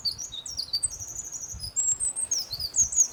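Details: Eurasian wren singing a series of very high, thin notes and short rapid trills that jump between pitches, with brief gaps and a faint low rumble underneath.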